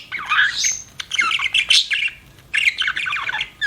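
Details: Budgerigar kept as a pet, chirping in busy scratchy warbles, two long bursts of mixed squawks and trilled notes separated by a brief pause.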